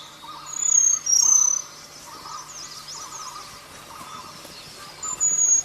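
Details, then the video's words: Selendang biru bird in the wild with two bursts of piercing high whistled notes that dip slightly in pitch, one early and one late, while insects buzz in rhythmic pulses beneath. "Suara burung selendang biru di alam liar"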